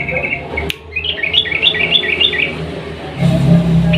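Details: Lure recording of a sooty-headed bulbul singing 'ropel panjang' style: a quick chain of clear, bouncing whistled notes stepping up and down, followed by a rumbling low background noise.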